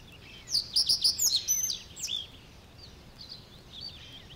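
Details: Reed Bunting singing in the reed beds of Matsalu, a field recording from 1979: a short, bright phrase of about six quick, high, ringing notes repeated evenly and ending in a brief buzzy flourish, then faint distant birds chattering in the reeds.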